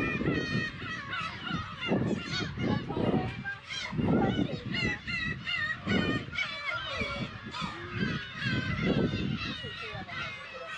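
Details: A crowded chorus of black-tailed gulls at the Kabushima breeding colony in Hachinohe, Aomori, Japan, on June 10, 2020, with chicks present, gives harsh, nasal, cat-like mewing calls that overlap constantly, with gusts of wind rumbling underneath.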